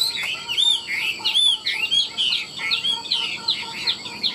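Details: Caged Chinese hwamei kept for sale in Vietnam, singing with nodding, warbling flourishes: loud, arched whistled notes repeated in quick bursts with fluttery slurs, high and bright throughout, with a faint steady hum behind.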